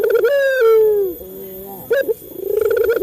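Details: Male Barbary dove, local type, calling to stimulate caged doves. A drawn-out coo glides downward and fades into a soft low tone, then a short sharp note and the start of a rolling coo.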